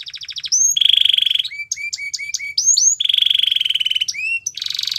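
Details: Singing canary alternating fast rattling trills with a steady bright rolling tone, short upward-sweeping whistles repeated about four times, then another long roll and a harsh buzzy ending.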